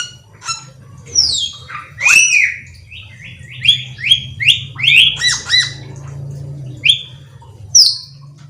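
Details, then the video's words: Black-winged myna delivering loud whistled and squawking notes. Abrupt downslurred and upslurred phrases come in irregular bursts over about eight seconds, against a steady low hum. "suara burung cucak keling"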